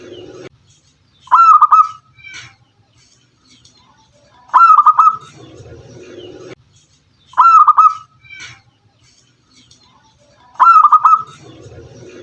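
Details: Local zebra dove (perkutut lokal) calling: a loud, fluttering, trilled cooing note repeated about every three seconds, each followed by softer notes, with low murmuring background between calls.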